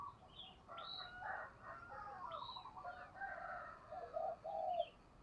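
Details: Spotted dove kept as a decoy bird, giving fiery 'thúc gù' cooing; low, soft coo notes in a short run near the end, preceded by a broad, harsh mid-pitched call and thin high chirps from other birds.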